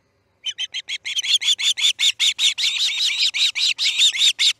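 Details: Osprey at the Charlo nest as a chick fledges, August 10, 2018, early morning at 6:03 am: rapid, loud, piercing whistled chirps in a steady series, growing slightly longer and more insistent toward the end.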